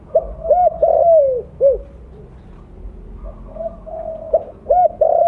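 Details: Mottled-plumage spotted dove, vocally active with a loud voice, used as a lure call to draw other doves. Mellow, hooting coos, each short and arched, given in quick clusters with softer, higher drawn-out coos between.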